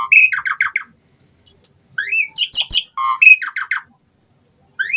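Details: Asian pied starling, or jalak suren, gives a rapid stuttered run of clipped notes, a rising whistle, sharp metallic chips and another stuttered series, then a pause before a final upslurred note.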